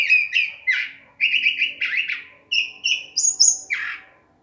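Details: At nightfall a curve-billed thrasher sings a rich, varied series of short phrases, mixing harsh chattering notes with bright whistled ones that climb higher toward the end before falling away.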